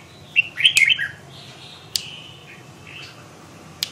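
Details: Red-whiskered bulbul with one lively slurred phrase of several quick whistled notes, then a single drawn-out whistle and a soft chirp; sharp clicks break in now and then.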